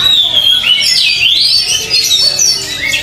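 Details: Oriental magpie-robin being trained out on a field, delivering loud whistled song of sweeping, slurred high phrases that rise and fall in quick succession, with overlapping chirps from other birds nearby.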